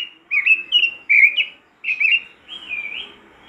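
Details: Robin singing vigorously (gacor), used as a tutor recording to get other robins singing: a few short whistled phrases around a high pitch, separated by brief pauses, ending in a drawn-out wavering whistle.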